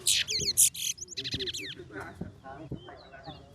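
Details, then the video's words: Towa towa in a singing competition: loud buzzy rattles and bouncing whistled loops in the first second and a half, fading into softer chirps amid people talking, with a count called out. "TOWA TOWA BIRD SINGING COMPETITION"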